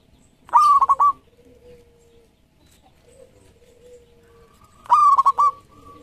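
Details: Local zebra dove singing hard in a lure recording: two loud bursts of rapid, pulsed cooing about four seconds apart, separated by soft, sustained low coos.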